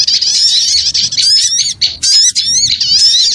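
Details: Brief burst from a lure for small birds: crowded high chattering with sharp upswept notes and fast warbled trills, interrupted by two short breaks.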